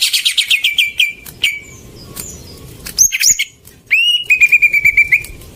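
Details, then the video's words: Greater green leafbird song, used as a lure to get silent birds singing: rapid falling trill of sharp notes at the start, then scattered high sweeping whistles, ending with a fast even chatter of repeated notes. "Pancingan burung cucak ijo macet"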